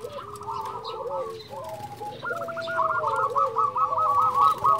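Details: Local zebra dove, a lively caller used as a lure to stimulate other zebra doves: overlapping rolling coo series, a long rapid string of bubbling notes building louder in the second half.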